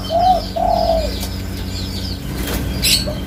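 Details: Spotted dove, called tekukur, uttering two soft mellow coos, the second longer, followed by quieter background chirping of small birds and a faint click.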